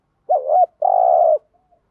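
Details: Spotted dove 'thúc gù' coo for luring wild doves: a wavering double hoot followed by a long, steady, slightly buzzy coo, low and mellow, one phrase.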